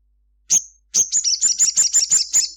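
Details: Sunbird (sogon) singing energetically in the middle of the day, 'cruit cruit': a single piercing high note, a short gap, then a quick, even string of about nine shrill chirps lasting over a second.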